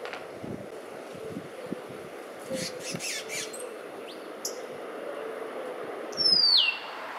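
Saffron finch giving one sharp, high call that slides steeply downward over about half a second, after a few faint chips, against steady background hiss.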